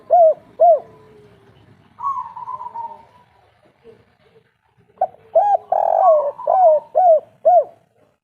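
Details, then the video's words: Local Indonesian spotted dove giving the three-note "kuk 3" cooing style: pairs of short hooked coos, a longer wavering coo, then a quick series of five or six rhythmic hooked notes. The background is quiet. "Derkuku kuk3 lokal gacor ngamuk"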